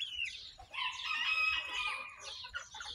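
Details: Chicken chicks in a barnyard, hatched May 21, 2024 and recorded June 22, 2024. A brief peep opens, then a loud, drawn-out, harmonic squawking note runs for about a second before fading into scattered high chirps.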